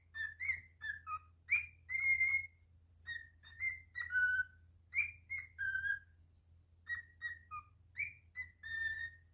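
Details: Pet cockatiel singing indoors: a string of clear whistled notes, some sliding upward and others held or dropping, delivered in short phrases with brief gaps, over a faint low hum.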